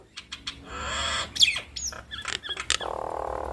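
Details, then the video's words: Two Nias hill mynas duetting as a lure to make other mynas respond: raspy screeches, a sharp squeal and short clicks, ending in a sustained harsh buzzing note. "Duet Maut Jalak Nias Bikin Ribut Semua Burung Jalak - pancingan Burung Jalak Bikin Cepat Respon"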